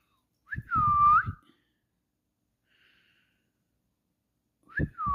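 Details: Parrot whistling two clear, pure notes several seconds apart, each a short upward slide into a sustained tone that dips and levels off, with low bumping handling sounds beneath and near silence between.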